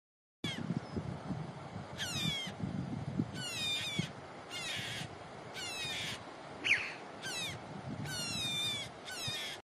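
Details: A red-billed chough family with chicks that fledged in June at Plemont, Jersey, gives harsh, ringing, slightly downslurred calls in short bursts, about one a second, over a steady low rumble of wind or surf.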